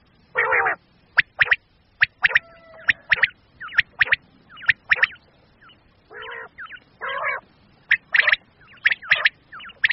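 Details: Common quail calls for quail hunting, male and female, from Pakistan: quick sharp notes in pairs and triplets across ten seconds, broken by a few harsher rasping bursts.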